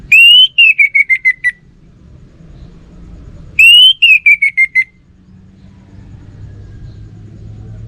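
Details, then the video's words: Two matching phrases from a kept orange-headed thrush, each a pure whistle that rises then breaks into a stuttering series of descending notes, spaced about three and a half seconds apart. "Burung ANIS MERAH Lansung Nyaut Gacor Tanpa Henti"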